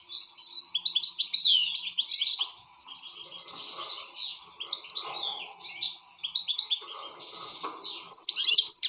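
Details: Excited European goldfinch singing energetically: rapid tinkling twitters, buzzy rattles and high sweeping chirps in long phrases with short pauses, faint hum underneath.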